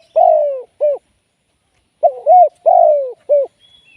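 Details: Spotted dove kept as a live trapping decoy. Two loud, clean coo phrases separated by a pause. The second phrase starts with a doubled rising note, then a long falling coo and a short closing note.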